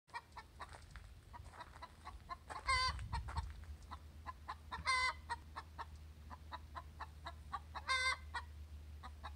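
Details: Domestic hen giving her egg song after laying an egg: steady run of short clucks punctuated every two to three seconds by a loud, drawn-out nasal squawk, with low background hum.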